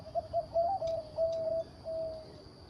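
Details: Zebra dove with a deep voice on a farm, cooing: a quick staccato run of short mid-pitched notes, then longer level cooing phrases, with a faint steady high whine throughout.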